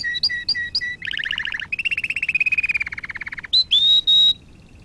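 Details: Training song for canaries: a few looped upswept chirps, a burst of rattling double notes, a long rolling trill sinking in pitch, then sustained clear whistles.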